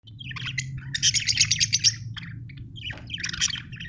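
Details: Budgerigar chirping, described as an Australian bird: bursts of bright, buzzy warbled chatter in rapid clusters, a dense run in the middle and another at the end, over a steady low hum.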